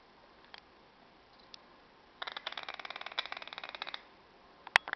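Green aracari giving a rapid, rattling series of harsh notes, about ten per second for two seconds, followed by a few sharp clicks.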